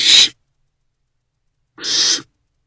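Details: A nest-box owlet at about 3 am on 24 April 2024, feeding on a big rodent, gives two short, loud rasping hisses about 1.8 seconds apart, with silence between.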